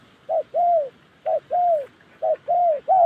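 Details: Spotted dove from Gia Lai in the wild Central Highlands, voice style called Đồng Ngực Chẻ: soft mid-pitched cooing in repeated phrases, each a short clipped note followed by a longer arched coo, about three phrases in quick succession.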